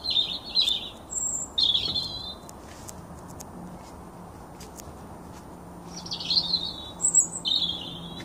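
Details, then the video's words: Young male Blackbird singing short, bright warbled phrases in two bursts, each ending in a thin, high squeaky note, with a steady low background hum. "Blackbird Song"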